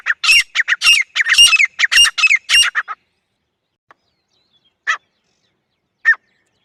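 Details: Harsh, rapid calls from a female grey francolin, a dense burst of about ten grating notes over three seconds, then silence broken by two single notes.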